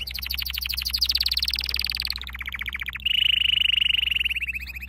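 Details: Canary training song: rapid rolling trills of repeated notes, shifting pitch, then a sustained bright whistled trill; low background hum throughout.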